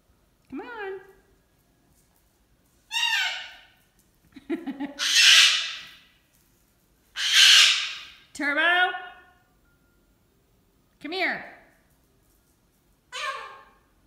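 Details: A pet cockatoo, frustrated, screaming for its owner when he can't come: seven harsh calls in about fourteen seconds, two of them broad, raspy screeches, the others shorter squawks that fall in pitch, with a woman scolding between them.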